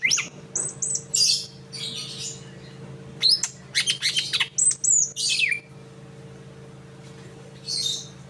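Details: Greater green leafbird in captivity practising another bird's call: bursts of high chirps, thin whistles and sweeping notes separated by short pauses, with a constant low hum underneath.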